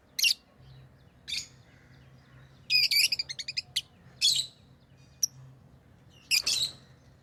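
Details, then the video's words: Lovebirds chirping loudly: piercing shrill squeaks, a fast stuttering run of about eight clipped notes, then more harsh high chirps, set against a faint low hum. "Love birds Sounds | lovebirds chirping sounds"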